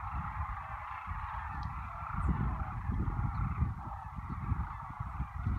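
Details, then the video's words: Sandhill crane cacophony at Whitewater Draw, Arizona, near the cattail pond on February 11, 2018, 68°: a dense, continuous wall of overlapping rolling calls from a large flock, with low rumbling noise underneath. "Sandhill crane cacophony."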